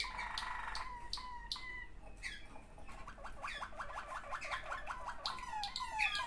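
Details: Waterslager canary song from two sibling birds: low, hollow, bubbling notes at first, then a fast even trill of short clicking notes, ending in higher chirps. Faint background hiss.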